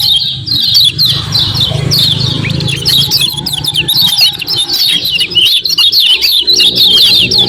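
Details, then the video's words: Common iora calls used as a lure to provoke other ioras into calling: dense, rapid high chirps and short downslurred 'ciak' notes chattering continuously, with a low rumbling hum underneath. "KECIAL KUNING GACOR PERANSANG BUNYI CEPAT DIRESPON"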